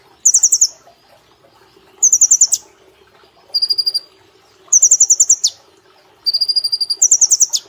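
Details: High rattling trills from a caged brown-throated sunbird in vigorous 'nembak' song with 'platuk cililin' phrasing, made for training cage birds; bursts of about eight quick notes come every one to two seconds, some ending in a downward flick.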